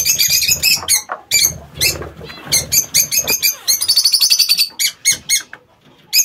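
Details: Flock of lovebirds in an aviary giving a dense barrage of shrill, harsh screeching chirps in quick irregular succession, with a brief buzzy trill in the middle and a pause near the end.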